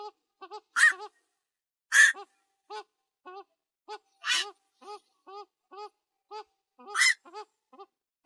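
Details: Night heron, locally অক or বাকচু, giving four loud harsh squawks spread across the recording. Between them runs a steady series of short nasal, harmonic notes, roughly one every half second, in an otherwise quiet setting.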